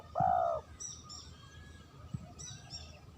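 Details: Spotted dove call used as a lure: one loud, low, mellow coo lasting about half a second. Faint high chirps from other small birds follow over a low background rumble.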